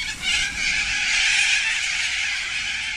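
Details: A large flock of sulphur-crested cockatoos feeding on gum blossoms in the afternoon gives harsh, grating screeches that run together without a break for the full three seconds.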